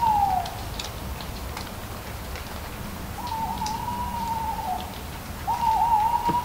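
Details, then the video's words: Owl giving drawn-out, level hoots, one ending at the start, another lasting nearly two seconds and a third beginning near the end, with light leaf ticks and rustle behind. "Hooting Owl"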